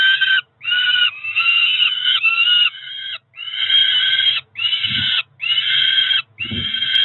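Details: Nest-camera sound of two Peregrine falcon chicks, about four weeks old, in Cromer, begging at feeding time on 2 June 2023; strident drawn-out screeches in uneven bursts with short pauses, plus occasional soft knocks from the nest.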